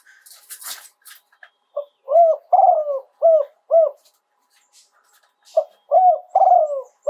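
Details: Spotted dove crowing live, 'yon 2 kuk' style with fine phrasing: two bursts of low, hooked coos, a longer wavering note in each, after scattered knocks and scrapes at the start.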